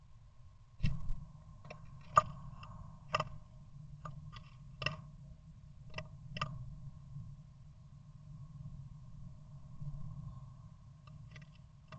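Scattered sharp clicks and taps over a steady low hum, with no clear animal call.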